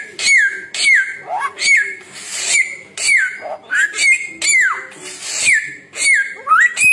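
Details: Samyong bird song: clear whistled notes that drop in pitch, repeated about every second, mixed with short rising whistles and rough, hissy bursts.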